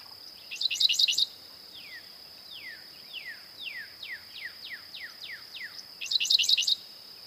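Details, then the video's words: A Dickcissel (Spiza americana) sings two short bursts of sharp, stuttering notes about five seconds apart, with a run of quick downslurred whistles between them, over a steady high insect whine. "Dickcissel Bird Song"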